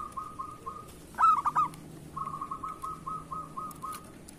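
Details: Lure-bird zebra dove of local stock, singing keenly: a sharp burst of four quick coos, followed by a long even string of soft short notes at a regular pace.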